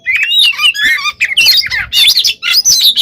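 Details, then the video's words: Oriental magpie-robin in 'gacor konslet' style, a lure recording meant to agitate other birds: dense, varied warbled and whistled phrases, rising and falling, packed closely with only brief gaps between bursts. "PANCINGAN KACER GACOR FULL ISIAN KONSLET! BIKIN BURUNG LAIN EMOSI"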